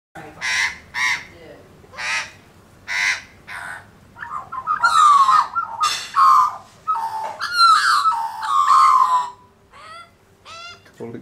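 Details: Australian magpies on a lawn while eating bacon, calling in the family: short harsh bursts, then a loud rich warbling carol with fluttering gurgles, fading to softer chirps at the end.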